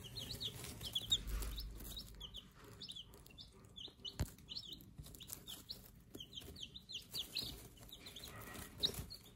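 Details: A brooder of day-old Silver Laced Wyandotte chicks gives a busy chorus of high, piercing peeps. The short notes are sharply down-slurred and come in clustered volleys, with brief pauses between them, over faint clicks and low hum.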